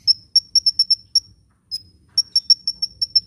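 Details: Vigorously singing hummingbird, used for luring and for getting reluctant birds to sing: thin, piercing high notes repeated in uneven runs, a brief silent gap midway, then a steady string of chips over soft low background hum.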